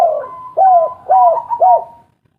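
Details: Lure coos from a local spotted dove meant to spark reluctant birds: three evenly spaced arched notes over a faint sustained higher tone, fading to silence at the end.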